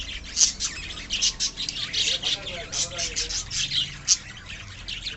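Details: Pet budgerigars in a colony chirp rapidly in sharp high notes, with a faint human voice murmuring underneath midway.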